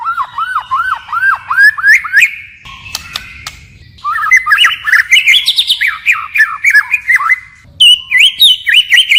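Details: White-rumped shama forest-style song with ongoing voice switching: series of repeated arched whistled notes rising in pitch, a pause with clicks, then fast jumbled chirping phrases and quick high notes.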